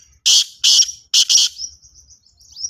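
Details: Black francolin, or kala tetar, giving loud rasping notes, three coarse bursts in a quick phrase. Faint high twittering follows as the call fades.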